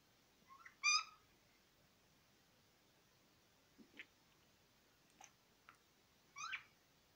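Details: Budgerigar (Melopsittacus undulatus) gives a loud, scratchy, harmonic squawk, then scattered soft chirps and ticks, and a second raspy call near the end, over a quiet background.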